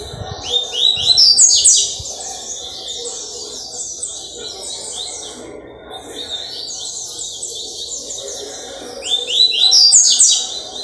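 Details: Song of a double-collared seedeater, recorded Wednesday 4 October 2023: two loud bursts of rapid, high, rising chirps near the start and end, separated by several seconds of softer, steady twittering phrases.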